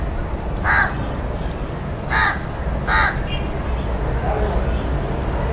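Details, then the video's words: House crow giving three short, harsh caws spaced about a second apart, with a faint fourth call after, over low rumbling background noise. "House Crow (Corvus splendens) Sounds"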